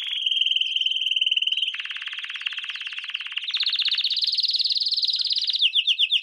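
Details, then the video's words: Canary song from a training lesson for young canaries: long rapid trills of repeated notes, shifting between buzzy broad tours and clear higher rolling passages, ending with a few sharp chips. "Canary Singing - lesson 16"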